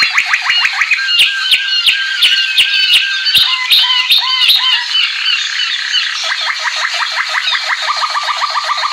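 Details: American singer canary song: fast rolling trills of repeated sharp notes, first a bright pulsed rattle with clicks, then a lower, steadier, evenly spaced trill through the last seconds.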